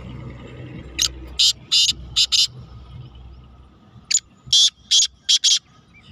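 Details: Black francolin (kala teetar) calling in the rainy season, 31 May 2023: two phrases of five harsh, grating, buzzy bursts in quick rhythm, the second phrase following about three seconds after the first, over low rumbling background noise.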